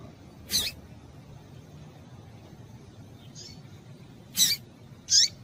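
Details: Female double-collared seedeater calling to stimulate males: three short, high, sharp call notes, thin and bright with a brief downward sweep, scattered irregularly over quiet low background hiss.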